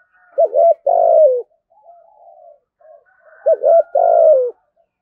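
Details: Spotted dove giving deep-voiced thúc gù cooing. Two phrases about three seconds apart, each a quick pair of hooked notes and then a longer, falling coo. Soft, quieter coos fill the gap between phrases.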